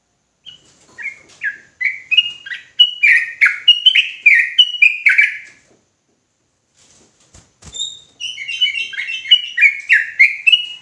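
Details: Ropelan-style song of an agitated sooty-headed bulbul: rising runs of rapid whistled notes building in loudness, a pause of about two seconds with a couple of clicks, then another fast burst of alternating high and low notes.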